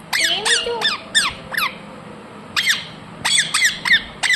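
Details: Pet rose-ringed parakeet indoors in a small room giving rapid, harsh, downward-sweeping squawks in quick bursts, about three per second, with short pauses between groups.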